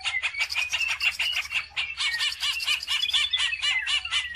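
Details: Greater green leafbird lure song for training other birds: dense, fast chatter of repeated looping notes and sliding whistles, busy and unbroken throughout.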